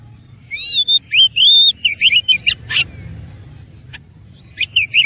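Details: Oriental magpie-robin (kacer) in aggressive fighting-mode singing with a rich fill: rapid twisting whistles and harsh buzzy chatter for a few seconds, a lull, then a final short run of looping whistles.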